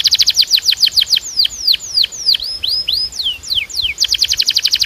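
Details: Belgian canary song: quick runs of descending chips, slower long downward slurs and curved whistles in the middle, then a fast repeated burst of chips again.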